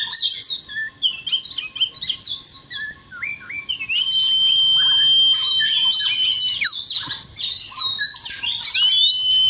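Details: Oriental magpie-robin singing in the morning: a rich run of varied whistled phrases, clear rising and falling slurs and bright chirps, with a long steady whistle held across the second half, briskly repeated.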